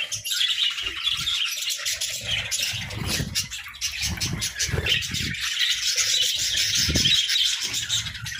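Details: A group of pet budgerigars keeps up busy, cheerful chirping: an unbroken mesh of quick high twitters and squeaky warbles, mixed with low knocks and rustling, possibly from wing flapping or movement in the cage.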